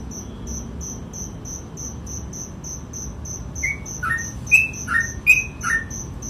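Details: Sooty-headed bulbul in gacor ropel song: a steady high insect-like ticking carries alone for several seconds, then a burst of brisk whistled phrases alternating low and high notes joins in near the end.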